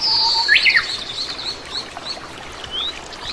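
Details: Oriental greenfinch, a common resident of Korea, opening with a loud high whistle sliding downward beside a lower steady tone and a sharp chirp, then several soft short twitters over quiet rushing noise.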